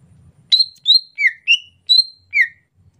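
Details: Greater green leafbird singing in the rainy season, a soft, subdued chatter: six clear whistled notes, some level and some dropping in pitch, spaced about every 0.4 seconds, against a quiet low rumble.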